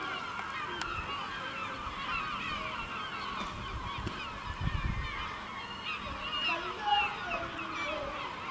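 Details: Village gulls circling over El Ortegal until dark call continuously. Many birds overlap in quick, wavering, yelping notes, and a few louder low thumps can be heard near the middle.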